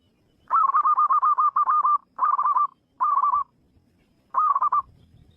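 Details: Zebra dove singing in the wild: soft, rapid trilled cooing phrases at mid pitch, one long run broken into short bursts, then three shorter phrases separated by brief pauses, with a quiet background.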